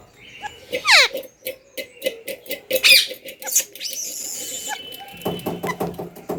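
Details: Parrot in a room gives a harsh descending squawk, repeated clicking notes, then a drawn-out high whistle and buzzy chattering toward the end.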